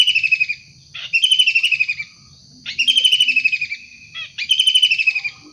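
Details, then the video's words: Wild kingfisher in full voice, giving rasping pulsed chatters of about a second each, spaced one to two seconds apart. A constant high-pitched hum persists beneath the calls, with a few faint low notes. "Tengkek udang gacor asli alam liar"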